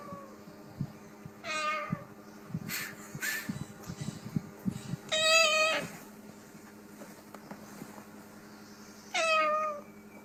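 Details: A parrot imitating cat meows, copying another species' vocal repertoire as if trying to communicate with it: three drawn-out, harmonic mews at roughly four-second intervals, the middle one loudest and longest, with faint clicks and room noise between.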